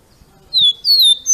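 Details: Rufous-collared sparrow, captive-bird training song: two clear whistled notes, the first dipping slightly, the second a longer slurred whistle falling gently, high-pitched.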